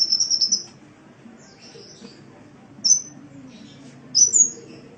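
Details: Sunbird in a masteran recording from Indonesia, used to train cage birds: a high, thin chirping burst at the start, then two bright rising whistled notes after long pauses, over a low background hum.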